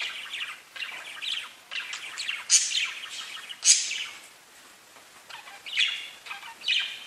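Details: Pet budgerigars chirping: bursts of bright, scratchy warbling notes high in pitch, separated by short pauses, with a few sharper, louder chips standing out.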